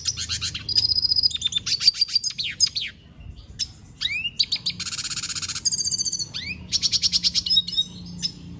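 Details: Red Siskin singing persistently: a rapid, varied twittering of high whistled notes, buzzy trills and short repeated chips in quick phrases, over a steady low hum.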